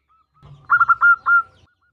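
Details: Female zebra dove, local type, calling to the male: one short phrase of three fast stuttered notes followed by two longer clear coos at an even pitch.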